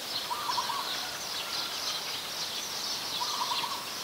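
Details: Coppersmith Barbet, a very common resident, in Ubon Ratchathani, Thailand, 1 February 2020: two short bursts of quick, hollow, evenly pitched notes at the start and near the end, over loud, continuous, high, insect-like buzzing.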